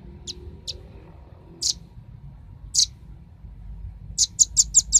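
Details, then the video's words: Velvet-fronted nuthatch lure audio for attracting birds: widely spaced single shrill high chips, then a quickening burst of five sharp notes at the end. "suara pikat burung rambatan ribut suara jernih"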